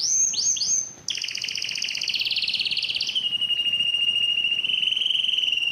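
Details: Yellow canary in song, opening with looping whistled slides, then a fast buzzy rolled trill that settles into a long, even, lower churring roll.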